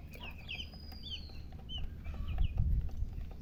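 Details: A few baby chicks giving scattered high, falling peeps, followed by low rumbling handling noise near the end.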